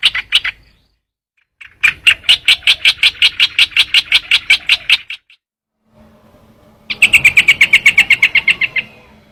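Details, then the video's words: Trao trảo bird producing several runs of rapid, evenly spaced high chipping notes, the longest lasting about two seconds, with short silent gaps and faint low hum between. "tiếng chim trao trảo"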